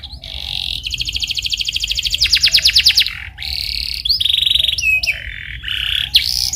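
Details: Rolling canary song played to prompt a canary to answer: buzzy tone, a long accelerating trill of rapid pulses, then flat whistled rolls and short upward slurs.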